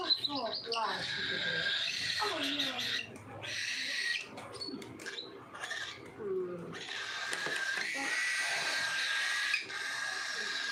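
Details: 1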